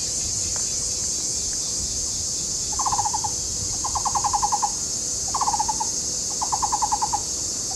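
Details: Taiwan barbets, a courting pair singing to each other near their excavated tree-cavity nest in a Taishan, Taipei County nature park; four quick runs of resonant, monotonous knocking notes, each run under a second, over constant high insect buzz.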